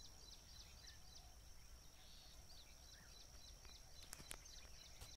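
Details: A Vernal hanging parrot in village Pangare gives thin, sharp, very high squeaky notes in quick irregular bursts over a steady high insect drone and low rumbling background noise.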